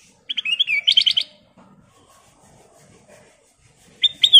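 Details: Kutilang emas bulbul in full song, giving a quick run of clear whistled and chirping notes, then a pause, then another whistled phrase starting near the end, in a quiet setting.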